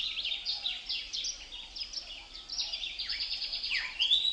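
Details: Birds twittering in a thick tangle of high notes, short slurred chirps crowding each other, with one clearer, brighter call rising near the end; wind blows through leaves.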